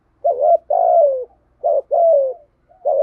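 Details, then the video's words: Spotted doves, male and female, cooing in a recording used to rouse and train decoy birds to coo. Low, mellow coos arrive in paired phrases: a short hooked note, then a longer note sliding downward. The pair repeats twice, with a quiet background. "chim cu gáy kích bổi và tập mồi gáy theo hiệu quả mỗi ngày"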